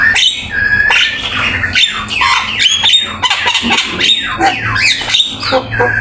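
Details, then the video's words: Black-winged myna in energetic full song, recorded as a training master: continuous harsh, scratchy chatter layered with whistled sweeps rising and falling, hardly a break throughout. "Suara jalak kebo gacor !! Full isian ,masteran asik"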